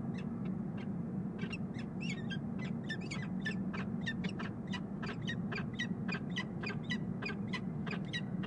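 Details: Peregrine falcons in a nest box on the Rhodes Tower in Columbus, Ohio, on March 9, 2015, pair bonding: a fast run of harsh, clipped notes repeated several times a second over a steady low hum.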